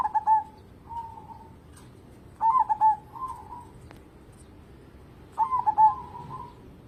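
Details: Zebra dove, local type, singing eagerly to draw other birds into song: three stuttering cooing phrases about three seconds apart, each a burst of short rolling notes followed by a gentler drawn-out coo, over low background hiss.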